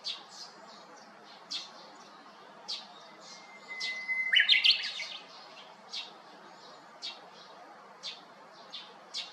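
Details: A Japanese bush warbler calls from the crown of a cypress at an empty neighbouring house on 7 May 2021. A thin sustained whistle bursts into a loud tumbling phrase, framed by repeated high chirps from surrounding birds.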